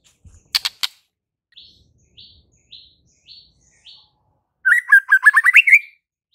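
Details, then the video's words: White-rumped shama: a few sharp clicks, then a series of soft, short high notes spaced under a second apart, ending in a rapid, buzzy rising-and-falling warbled phrase. "JADIKAN MURAI BATU BISU SEKETIKA NYAUT DAN GACOR DALAM HITUNGAN DETIK"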